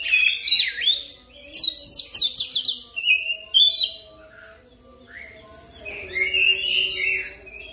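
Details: Oriental magpie-robin (kacer) pancingan song for training fast ngerol singing: a burst of quick chattering, swept notes in a dense first half, a brief quieter gap, then softer warbled phrases.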